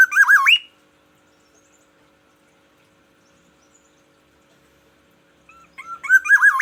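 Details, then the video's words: Morning song of a captive black-naped oriole from Aceh, voiced to claim its territory: a liquid warbled phrase of wavering whistles ending in a rising note, silence for about five seconds, then the next phrase starting. "Kepodang emas Aceh, perawatan harian dan variasi kicauan di pagi hari"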